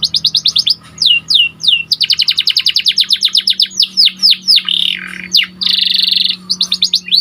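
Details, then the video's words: Caged white panda canary delivering a lively song: fast repeated downslurred notes, rapid trill series, whistled sweeps and buzzy rolls flowing continuously, recorded clean with a faint low hum. "Kicauan Burung Kenari Panda Gacor Di Satu Titik"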